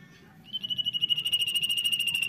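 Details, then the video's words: Common iora, a caged bird kept by Indonesian songbird hobbyists, singing a sustained trilled note held steady around one pitch with rapid pulsing, beginning after a half-second pause. "CIPOW GACOR"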